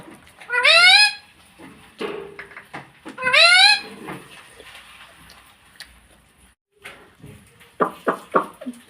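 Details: Talking pet parrot, described as saying "mummy": two loud, strained, rising harmonic calls about three seconds apart, with softer clicks and short chattering sounds afterward.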